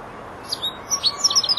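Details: European goldfinch, four months old and beginning to finish song phrases, giving a short sequence of sharp high chirps that quicken toward the end.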